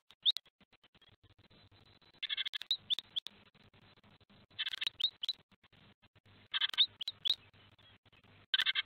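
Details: Great tits at a nest in Théding, France, on 26 April 2023, an adult bringing food to newborn nestlings; short clusters of thin, high chirps break out every one to two seconds, mixed with soft clicks and scratching inside the nest.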